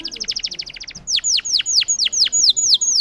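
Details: Singing Russian canary, bred for song, giving a quick run of short high tonal notes followed by a slower series of loud downward-sweeping whistles, roughly four to five each second.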